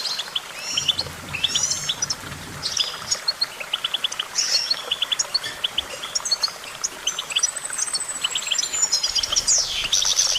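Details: Energetic goldfinch twittering, with clusters of quick chips and trills, then a long high thin whistle that slides slowly downward near the end, and a quiet low rumble in places.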